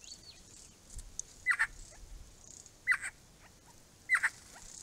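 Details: Three harsh, clipped calls, each a quick doubled note, come from a Grey-crowned babbler at a property pond, spaced about one and a half seconds apart in a quiet setting.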